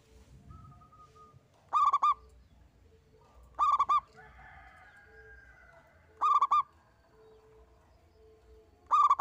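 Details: Local zebra dove, one bird singing eagerly, repeats short bursts of rapid clipped coos roughly every two seconds; faint thin whistles and soft tones between the phrases.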